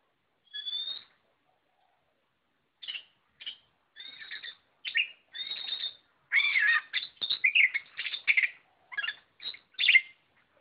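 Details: White-rumped shama singing a long sequence, opening with one clear whistle, then sparse notes building into dense, varied whistled and scratchy phrases in the second half.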